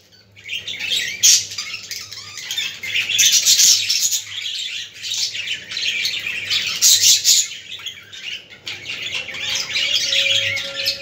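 Budgerigars chatter in dense, scratchy warbles and squawks, several birds overlapping in a busy, high-pitched flock sound with a low hum underneath.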